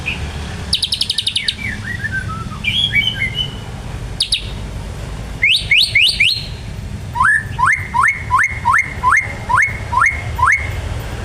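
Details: White-rumped shama delivering ngebren song imitating ciblek (prinia): a fast ticking burst, descending whistled slurs, then a long series of quick rising chirps repeated steadily, over low background noise.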